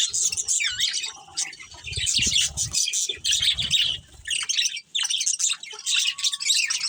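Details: Budgie breeding pair within a colony, chattering with sharp chirps, upward-sweeping whistles and raspy squawks, interrupted by low thumping and a short quieter pause.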